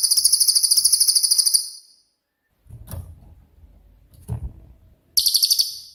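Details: Cililin (pygmy tit) singing its shooting-type song, used to tutor other songbirds: a long, shrill, rapidly pulsed high trill, a pause filled with soft low knocks, then another sharp trill burst.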